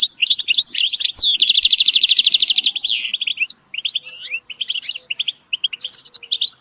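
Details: Motivational group calls of European goldfinches: quick twitters lead into a long, even, buzzy rattle, followed by a looser sequence of thin chirps and short sliding notes with small gaps.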